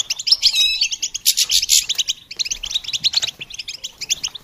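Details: Goldfinch singing as a training aid for songbirds, with a loud harsh buzzy phrase early on followed by rapid, choppy chirps and twitters.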